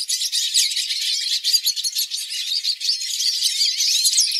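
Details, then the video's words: A hooded siskin sings a rapid, unbroken twitter of high, thin chirps and buzzy trills, fast and varied throughout, with no other sounds. "Melhores Cantos para seu Pintassilgo"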